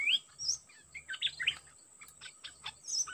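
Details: A trapping session pairs a decoy Dok Taeng bird with a wild-caught one described as very aggressive. Clear sliding whistled notes and quick chirps alternate, some notes rising or falling steeply, over a persistent high electronic hiss.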